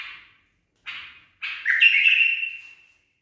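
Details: Trained pet bulbul offers a brief barwaz fragment: two soft buzzy notes leading into one sustained, ringing whistle that slowly fades.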